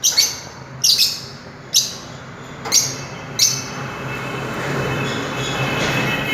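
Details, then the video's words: Fischer's lovebirds (Agapornis fischeri) give five shrill, sharp chirps, spaced about a second apart, before a steady hiss of background noise swells. "Melodious Chirping Sound of Love birds"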